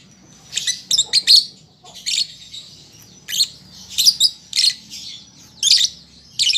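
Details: A lovebird still young and learning its song, uttering spaced shrill chirps and short rasping bursts about every second, over a faint continuous high-pitched twitter.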